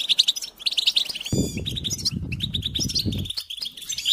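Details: Goldfinch song played to stimulate other goldfinches to sing: rapid, bright twittering and chirps high in pitch, continuous throughout, with a burst of low rumbling or fluttering noise in the middle.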